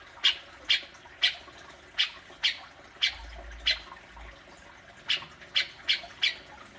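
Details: Grey-cheeked bulbul in its fierce besetan, meant to trigger calling from a kept bird: well-spaced single harsh squawks, about two per second, with a brief pause midway before a tighter run of notes.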